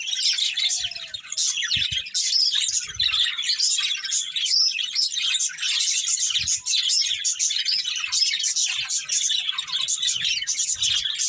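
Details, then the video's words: Pet budgies from a breeding pair producing an unbroken flow of shrill chirps, clicks and warbled chatter for over ten seconds, with occasional soft low bumps. "Cute Budgies Chirping Sounds | Love Birds Breeding Pair"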